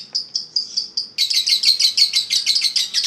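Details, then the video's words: Eagle Head contest lovebird opens with about five evenly spaced high chirps, then launches into fast, harsh ngekek chatter of rapid repeated notes. "Ngekek 1 menit up"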